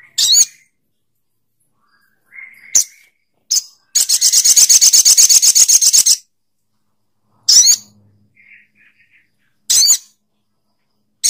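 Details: Spiderhunter (sogok ontong) calling with sharp, high, single notes, then a fast rattling run of rapid repeated chips lasting about two seconds, followed by more separate high notes.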